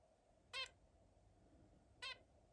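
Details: Zebra finch playing alongside other birds: two brief nasal, harmonic honks about one and a half seconds apart over a quiet, low hum.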